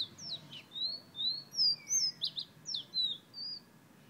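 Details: Fire-red bird from Guyana whistling: a quick run of short, high, thin whistled notes, some sliding up and others dropping, about two to three per second, over a faint low background hum.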